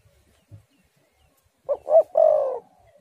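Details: Spotted dove cooing, recorded as bait to get doves singing: after a faint low thump, one phrase of two quick soft coos and a sustained, slightly falling purr.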